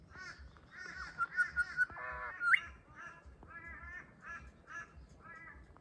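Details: In an Australian garden on a grey day, a wild grey shrike-thrush gives full, slightly husky repeated notes. A sharp upward whistle comes near the middle, then more paired, evenly spaced notes follow against a quiet background.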